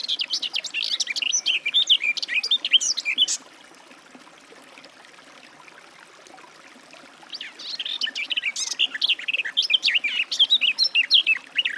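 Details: Two long bursts of hurried, babbling warbling from a garden warbler, separated by about four seconds of near silence, the second phrase steadily continuing to the end.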